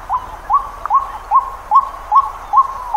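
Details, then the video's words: White-breasted waterhen recorded in Pingtung County, Taiwan, on 31 December 2021: a steady run of short upslurred, hooting notes, about two to three per second, even and rhythmic, with low hum beneath. "屏東縣的白腹秧雞Amaurornis phoenicurus"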